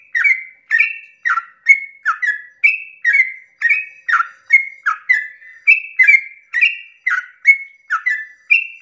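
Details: In the dawn hours a yellow-vented bulbul sings a long rolling song meant to make other bulbuls join in; rhythmic, clear whistled notes each followed by a lower bubbly slur, repeated about twice per second.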